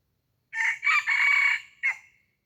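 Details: Red junglefowl decoy bird crowing once to attract wild junglefowl. The crow is a hoarse, broken cock-a-doodle: a clipped opening, a stretched buzzy middle holding steady, and a final short note fading away. No other sounds intrude.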